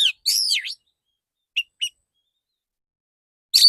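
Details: Male Oriental magpie-robin in a therapy recording of loud, clear 'tembakan' shot-style song: a long swooping whistled phrase, two short sharp chips, then silence before another bright whistle.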